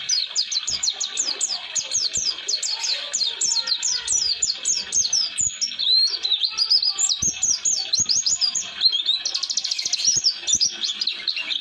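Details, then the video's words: A long unbroken run of the Oriental white-eye's 'roll durasi' song, used to master young wild-caught white-eyes: high chirps repeated in fast bursts, shifting into slurred whistles, then a very rapid trill-like stretch. "Kicauan Pleci Atau Si Burung Kaca Mata Roll durasi Cocok Untuk Pemasteran"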